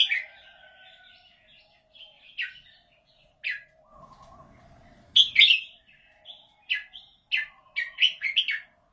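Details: Red-whiskered bulbul with a fine 'golden' voice singing short loud whistled phrases at irregular intervals, building to a rapid run of sharp notes near the end; faint lower chirping and a brief rustle in the background.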